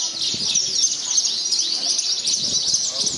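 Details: Javan bush lark in a singing contest, a first-prize winner despite strong wind, pouring out a continuous high, busy warble of quick twittering notes, with people talking in the background.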